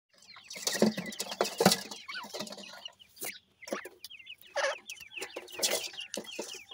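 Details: Young francolin (teetar) chicks while feeding: a chorus of short, high, downslurred peeps repeated rapidly by several chicks, mixed with sharp pecking taps and scratchy clatter.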